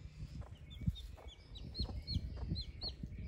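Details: Baby chicks with their broody mother hen, a farm flock scratching the ground: high, thin downslurred peeps repeated in quick succession over soft low thumps and rustling.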